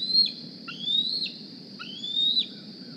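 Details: Young Decorah bald eagle, hatched April 2020 and fitted with a GPS transmitter, squeeing on the nest while looking for food; three long, high, slowly rising whistles with a sudden falling tail, spaced about a second apart.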